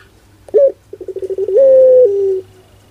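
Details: Puter (Barbary dove) with pelung-type song: an abrupt sharp note, a quickening string of pulsed coos, then a long even coo that steps down in pitch and fades out.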